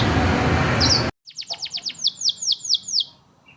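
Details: A noisy second gives way to a clean masteran bird song for drawing answering calls: about a dozen sharp, falling whistled notes in quick succession, slightly irregular, fading out at the end.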